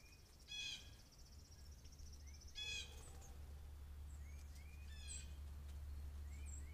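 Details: Blue jays calling all around a deck where one comes in for peanuts; harsh buzzy calls plus rising whistled notes repeated, recorded on a trail camera with a steady low hum.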